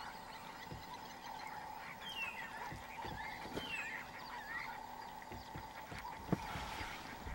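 White-faced whistling ducks give thin, high whistles that slide downward, several scattered through the clip, over a steady background hum and occasional taps.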